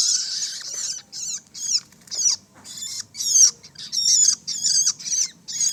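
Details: Juvenile long-tailed shrike giving rapid, scratchy high calls, short rasping notes repeated steadily with brief pauses between them.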